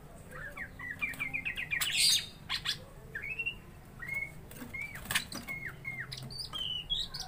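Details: Greater green leafbird in full fighting song, meant to provoke and test a rival: a run of quick rising chirps, then separate clear slurred whistles, some bending upward, with sharp clicking and rustling noises between phrases.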